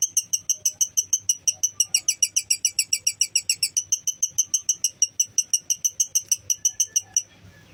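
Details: Lovebird used to rouse fighting spirit, giving a fast run of sharp, harsh, chattering notes repeated about four times a second for seven seconds, steady and loud with a slight surge in the middle.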